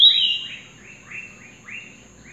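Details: Trinidad bullfinch singing at night, newly out of molt, in the song style called "bullet train": a loud, bright down-slurred whistle followed by three softer descending chirps spaced roughly half a second apart, over a faint low hum.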